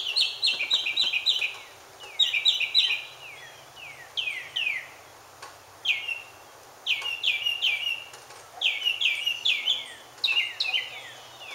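Mockingbird song: bright, varied chirps and slurred whistles, each phrase repeated several times in quick bursts before switching to a new one. Faint background noise.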